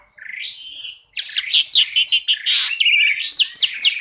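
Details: An Asian pied starling (jalak suren) tutor recording with full variation: a fast, varied mix of clear whistles, slurred notes and harsh chattering bursts, high-pitched and nearly continuous.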